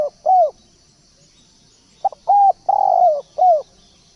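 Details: Spotted dove call played as a lure: a falling coo at the start, then a full phrase of a clipped double note, a hooked coo, a long rough coo and a final dropping coo.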